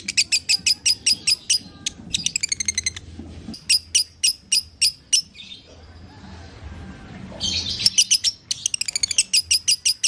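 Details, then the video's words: Lovebird sound meant to coax a kept bird back into singing: runs of shrill, evenly spaced chirps alternating with quick rattling trills, a short hissy pause in the middle, then chirps resuming. "Putar Suara ini agar LB anda akan kembali Bunyi"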